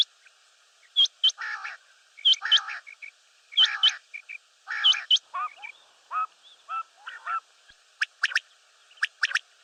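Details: Common quail, or batair, repeats bright, high, clipped notes, each pair followed by a low, rasping, nasal phrase. The cycle recurs about every one and a half seconds, then ends in scattered softer notes and fast ticking clicks.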